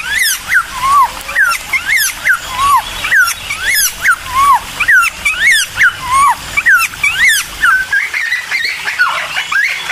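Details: Lure song of a bulbul meant to make other birds answer: a continuous series of arched whistled notes and falling slurs, repeated again and again with short gaps, ending in a more jumbled warbling stretch.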